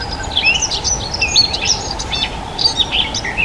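A Dunnock sings a fast, thin, jangling warble of high squeaky notes, tumbling up and down without pause, over a faint steady hum.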